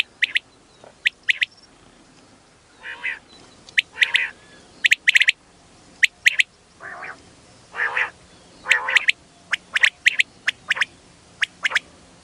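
A female common quail calls with sharp, high ticking notes in quick pairs and short bursts, mixed with lower, nasal, wheezy notes every second or two.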